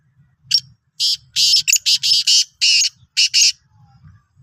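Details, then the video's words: Black francolin of the Sindhi type, 16 March 2023, calling in a grating, buzzy rhythm: one short note, then paired and tripled harsh bursts, ending in a quick double note, against a quiet low rumble. "Kala Teetar ki Awaz"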